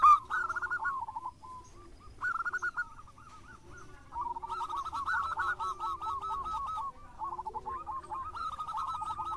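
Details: Local zebra dove, kept singing bird, delivering lure song: repeated phrases of rapid rolling coo notes separated by short gaps, with a low droning hum beneath.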